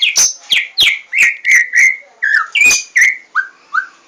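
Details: White-rumped shama singing a series of loud whistled notes, each opening with a sharp click and sliding down, about three per second, ending with softer falling whistles.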